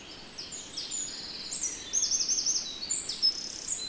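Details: European robin singing in the Netherlands: thin, high-pitched phrases of varied whistles and a fast twittering trill near the middle, with other high bird voices overlapping throughout.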